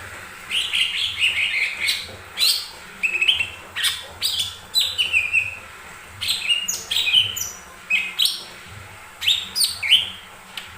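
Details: Lesser green leafbird singing as a lure to prompt other birds to sing. Lively, varied song of quick rising and falling whistles and chirps in short bursts, repeated steadily for about ten seconds.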